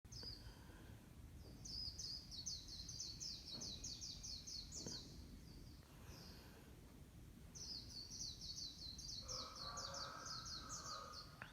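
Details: Bird singing in the morning; thin, high, rapid twittering phrases of repeated sharp notes, each phrase lasting a few seconds, over steady low background hum, with a lower warbling note near the end.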